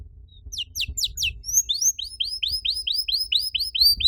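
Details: Canary singing to lure other canaries into song: a few steep rapid notes, then a quieter series of rising upslurred whistles repeated about three per second over low background rumble.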